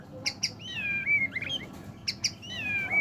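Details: Medan white-rumped shama, bowing-style singer used to lure other birds: two sharp clicks followed by a drawn-out falling whistle, the pattern repeated twice over low background hum.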